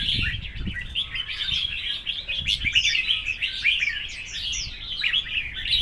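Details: Red-whiskered bulbuls singing against each other in a contest. Rapid, tangled whistled notes and sharp chirps pour out continuously, with soft low thumps heard near the start.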